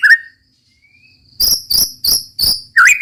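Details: White-rumped shama roll tembak song: a single whistled note, a pause with a faint rising whistle, then four spaced buzzy high notes followed by a whistled phrase.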